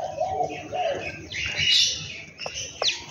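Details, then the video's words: Birds at home in the morning: lower warbling notes open, then a bright buzzy twittering burst, followed by two short sharp chirps near the end. "beautiful sound of birds in my home"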